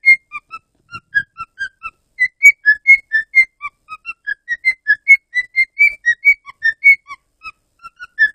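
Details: A male pet Cockatiel, kept for five years, whistles a quick, tuneful run of clear notes that hop up and down in pitch.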